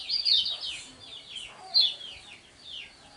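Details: Lemon-bellied white-eye (kecial kuning), a contest bird in the ngejos style: high, thin down-slurred whistles in loose phrases, a sharper note near the middle, over a quiet background.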